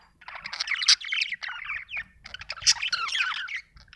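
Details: Budgie chattering in two bursts of rapid, squeaky chirps and buzzy trills, with sharp high tweets scattered through; faint low background hum.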